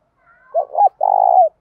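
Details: Close, clear coo of a spotted dove decoy calling wild doves: two short curved notes rising into a third, a brief pause, then a long rolling, pulsing coo that drops at the end.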